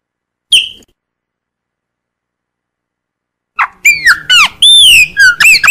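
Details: Chopi blackbird (graúna, black) in mateiro baiano song style: a single sharp note, a pause, then a burst of loud, rapid whistled and slurred notes that rise and fall over the last two seconds.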